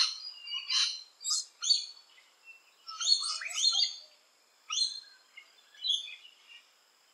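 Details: Rainbow lorikeet during nesting activity, uttering separate sharp, grating screeches and rasping squawks, some sweeping downward, spaced by short silences roughly every second.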